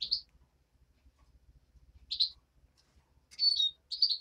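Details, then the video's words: European greenfinch nestling giving four spaced, high, short chirps, the last two buzzier and longer, with a faint low rumble beneath. "Птенец зеленушки"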